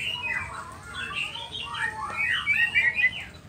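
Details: White-rumped shama of the Nias dotted form, in full song with mimicked phrases, meant to provoke other shamas to answer: varied slurred whistles and chattering notes weaving between mid and high pitch, growing louder toward the end over faint background hiss.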